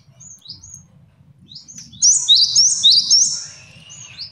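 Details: Male great tit song, meant for training and luring other birds: a few soft high whistles, then a loud burst of quick repeated sharp notes with rising-and-falling slides, fading out.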